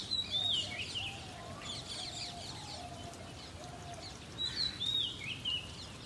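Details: A magpie robin sings a mating song on a rainy morning: two bursts of bright, high whistled and chirping phrases about four seconds apart, with a lower soft warble between them over a steady hiss of rain.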